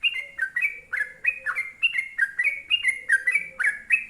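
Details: Sooty-headed bulbul, locally trucuk, in a long continuous 'ropel panjang' performance: a rapid stream of short whistled phrases, each dipping and rising, tumbling one after another without pause.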